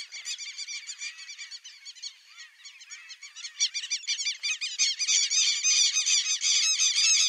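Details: White-faced whistling ducks (Dendrocygna viduata) in a swamp give a dense chorus of high, thin, squeaky whistles, many birds calling over one another and growing louder toward the end.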